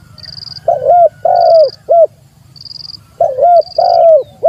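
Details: Spotted dove calling to challenge a rival, suitable as lure recording: two repeated phrases of three mellow low coos each, with short gaps between. High thin tones recur regularly and a low hum runs throughout.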